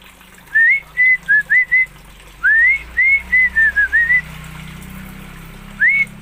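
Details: Oriental magpie-robin from Aceh whistling bright, upward-swept notes and short level ones in two quick phrases, over a steady low hum.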